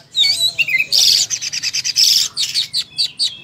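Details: Oriental magpie-robin in full fighting-mode song, a varied rapid burst of whistled slurs and dense buzzy rattling notes, high and bright, shifting quickly between phrases.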